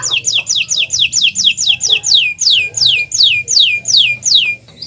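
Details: Canary master song for prompting silent canaries to sing: a series of loud downslurred whistled notes, each sweeping from high to lower pitch, repeated about four times per second in steady rhythm, with faint low background hum.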